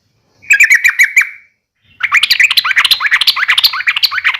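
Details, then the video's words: Fighting call of a yellow-vented bulbul used to stir rival bulbuls to respond: a short run of sharp repeated chips, a pause, then a dense, fast jumble of bubbling, warbled notes. "trucukan gacor SUARA UPLIK TARUNG ini AMPUH bikin burung trucuk gacor NYAUT EMOSI SEKETIKA"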